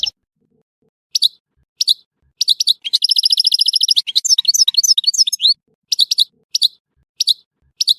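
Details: Singing goldfinch from Tissemsilt: isolated sharp chirps about every half second, then a fast rolling trill flowing into a jumble of high twittering notes, then more spaced chirps.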